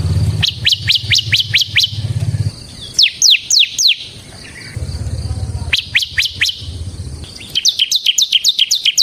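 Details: Bar-winged prinia, the ciblek semi type, singing gacor ngebren: three separate strings of quick, high, descending chirps, about four per second, split by short pauses, with a low rumbling hum in the background.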